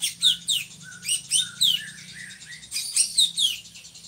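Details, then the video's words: A drongo (srigunting), a bird kept as a song tutor for other birds, sings a lively, varied run of sharp chirps, slurred whistles and metallic notes in quick bursts, over a faint low hum. "SRIGUNTING GACORRR"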